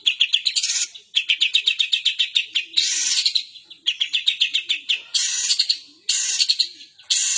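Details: Long-tailed shrike song imitating the 'kapas tembak' bird: series of rapid, sharp chirps alternating with grating, noisy bursts, repeated several times.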